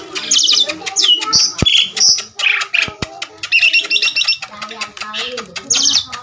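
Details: Very tame Asian pied starling singing loudly outdoors while perched on a hand, puffing up as it sings a full, varied repertoire: loud clear whistles, rapid repeated trilled notes, harsh chattering phrases and sharp clicks, delivered continuously and close.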